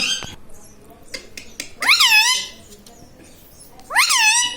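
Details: Pet parrot indoors in a small room, said to talk and repeat words like mummy and radhe radhe; two loud harmonic rising-then-falling squawks, about two seconds apart, with clicks and faint background noise.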